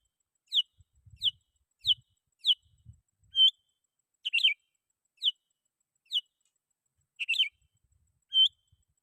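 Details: Sooty-headed bulbul calling rivals, used to lure wild bulbuls: sharp downslurred whistles and occasional bubbly phrases repeated every half second or so, with faint low knocking early on.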